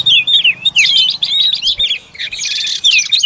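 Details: Oriental magpie-robin feeding its young; clear, high whistled notes sliding up and down, delivered in quick varied phrases with short gaps, some sharp chirps between them, and faint low rumble underneath.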